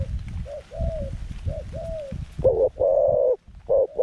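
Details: Zebra dove decoy of the medium-voice style, luring wild doves to a trap enclosure: arched slurred coos over steady rumbling noise, then loud staccato notes, a long rolled coo and a short final burst.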